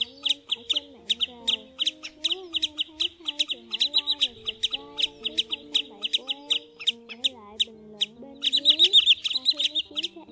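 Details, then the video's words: Wood sandpiper recording from October 2020, used as a lure for netting migrating birds at night: rapid, sharp, high-pitched notes repeated several times a second, with lower wavering tonal sounds running underneath. "Tiếng Choắt Bụng Trắng"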